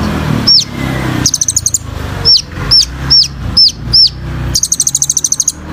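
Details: Kolibri ninja, a sunbird, in lively song for training birds: a fast chip trill, then five piercing downslurred whistles roughly every half second, ending in a longer rapid rattle of chips.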